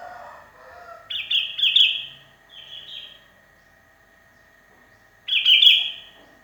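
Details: Sooty-headed bulbul, lonely and calling for companions, its song used to lure other birds: two rich bubbly whistled phrases, a softer lower phrase, a pause, then another bright bubbling burst; steady faint hum underneath.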